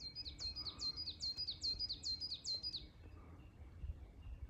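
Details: Coal tit at 1520 m in Shiga Kogen, Yamanouchi, Nagano, Japan, on 29 May 2022, perched atop a Norway spruce: one quick run of about eight bright, high, see-sawing phrases, then quiet with a soft background hum.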